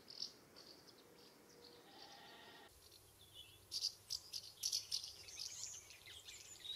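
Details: Common house martins flying about their nest site, UK summer: after a quieter start with faint tonal hum, a burst of rapid, high, dry chirrups and twitters fills the second half.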